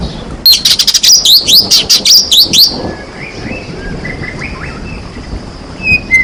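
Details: White-rumped shama singing as a lure meant to stir lazy shamas into full song: a loud run of rapid sweeping whistled phrases, then softer scattered whistles trailing off, with a faint steady hiss behind.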